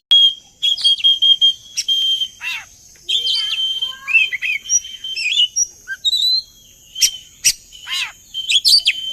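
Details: Oriental magpie-robin song used as a lure to make other magpie-robins sing along: sweet whistled notes at a steady pitch broken by sharp rising chirps, harsh downward rasps and quick varied phrases, with a constant high hiss behind.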